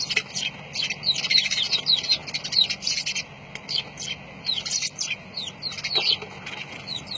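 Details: Lovebirds chattering with rapid high, thin chirps and short swooping squeaks, repeated in quick runs with little pause, over a steady low background hum.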